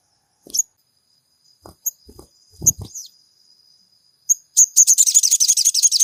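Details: Crimson sunbird song played to spur caged birds to sing: scattered thin high chips with low knocking and tapping sounds, then a sudden fast, shrill, rattling trill of rapid chirps at the end.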